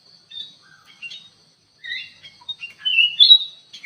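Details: Caged kutilang emas bulbul in an aviary, singing actively as a lure: sparse chirps at first, then a cluster of clear whistled, gently slurred notes growing louder toward the end.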